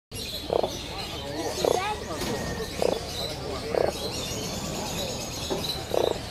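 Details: Captive crowned crane pair at a town bird exhibition in Rustega, pairing. Short honking calls repeat about once a second over steady crowd murmur and background noise.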